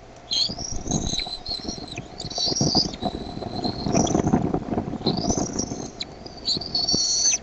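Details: Decorah bald eaglets at 6:35 PM CDT, 13 May 2015, getting noisier as the mother lands with food. One eaglet may be mantling. Piercing rising whistles repeat over steady rustling and low thumping in the nest.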